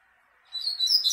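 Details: Brief, shrill twittering flourish from a double-collared seedeater singing at a female, rising abruptly out of a faint background hum and breaking off within a second.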